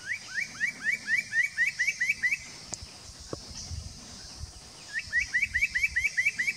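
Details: Spot-breasted parrotbill at Doi Lang, Fang, Thailand, recorded on 25 March 2017. Two rapid series of about ten short, upslurred whistled notes, each series lasting a couple of seconds. A steady high insect-like hiss sounds in the background.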